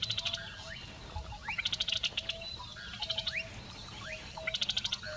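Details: Red-naped Bushshrike, a scrub specialist, singing: short, high, rapid rattling bursts repeat about every second and a half, mixed with quick upslurred whistles; a steady low tone hums beneath.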